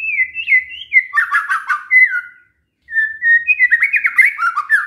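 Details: White-rumped shama song used to make other shamas call back: sliding whistles, a dense burst of fast chattering notes, a long whistled slur, a short break, then more varied whistling and chatter.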